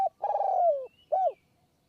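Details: Single perched spotted dove in high forest near Kanchanaburi, Thailand, cooing during a long 170-coo run at a decoy; one long, slightly rough coo sliding downward, then a short arched note.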